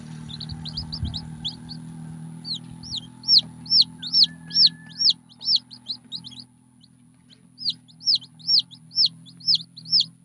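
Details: Red junglefowl chick calling: high, arched peeping notes repeated about twice a second in bursts, with a brief pause midway and low background hum beneath.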